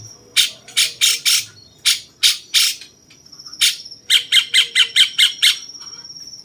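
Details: Cucak cungkok bulbul of the 'rasa jenggot' type, used to tutor champion songbirds: broad, harsh chip notes spaced irregularly, then a tight burst of seven quick rasping notes, over a steady high hum.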